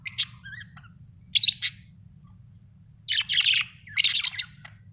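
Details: Pet budgerigars kept at home give scattered bursts of high chirps and short squawks, separated by pauses, over a steady low hum in the background.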